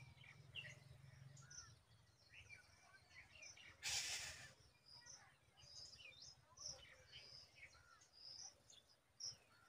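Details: Nestling birds waiting for their mother to feed them bugs give thin, high chirps and cheeps, scattered and overlapping throughout, with a brief rustling burst midway and a low hum at the start.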